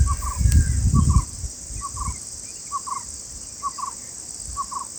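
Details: Father bulbul calling to warn of a predator and protect its chicks: short paired notes, low and clipped, repeated roughly once a second, six pairs in all, over a steady high insect drone, with low rumbling noise near the start.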